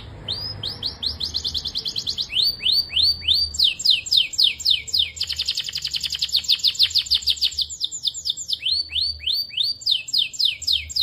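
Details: Belgian canary in a long varied song: rising whistled slurs, dense rolling trills and buzzy passages, switching phrases every few seconds.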